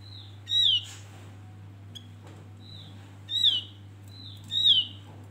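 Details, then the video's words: A Javan grey-throated white-eye recording used as a lure to prompt other birds: three clear, high whistles sliding downward, spaced a second or more apart, over a steady low electrical hum. "Cucak jempol//Opior Jawa pancingan"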